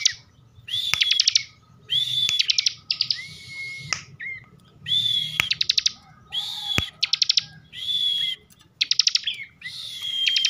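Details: Long run of ngebren song from an excited kept bar-winged prinia in Slawi, Tegal, Central Java: regular phrases every second or so, each a short whistle plus a machine-gun rattle, punctuated by sharp clicks.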